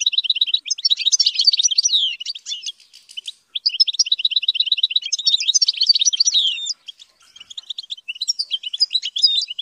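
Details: A hand-reared European goldfinch in training sings long runs of fast, liquid twittering. Rippling trills and quick rising and falling notes come in three bursts, separated by short gaps.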